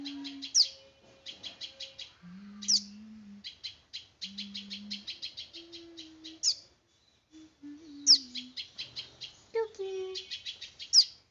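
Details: Small bird chirping. High, rapid trains of tiny ticking chirps come in bursts, broken by sharp, sweeping squeaks every few seconds. Low, steady humming tones sound underneath.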